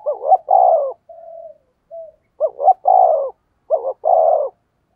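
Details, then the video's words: Spotted dove giving the 'thúc gù' coo used to lure wild doves: three low cooing phrases, each a quick hiccuping double note then a longer falling coo, with softer faint whistled notes between the first two phrases. "tiếng chim cu gáy thúc gù hay nhạy bổi, bổi nghe rất xiêng gáy"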